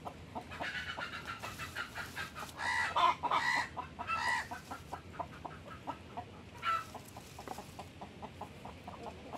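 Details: Blackish hen with her newly hatched chicks: a steady run of low, throaty clucks, about three or four a second, with short bright chick peeps breaking in now and then, louder bursts around the middle.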